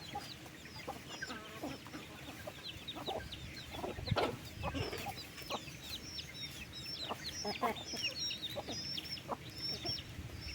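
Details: Flock of farm chickens fed in the afternoon, 15/08: busy overlapping clucks, one louder burst near the middle, over constant thin high-pitched chirping and low rumbling noise.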